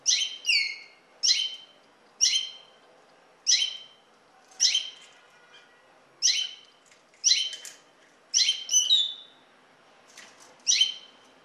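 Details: Common linnet calling: short, bright downslurred chirps with a twangy ring, given singly or in quick pairs about once a second, clean against a quiet background.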